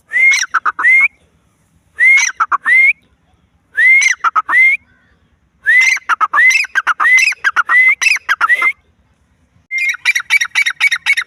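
Grey francolin calling in loud, repeated bursts of shrill whistled notes with rising squeaky phrases, several phrases per burst, every couple of seconds, ending in a rapid chatter.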